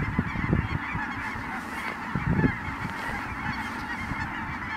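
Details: Ross's geese flying in at Merced National Wildlife Refuge on 22 December 2017: a dense, continuous chorus of nasal, yelping goose calls from a large flock, with low thumping rumbles and louder bursts near the start and middle.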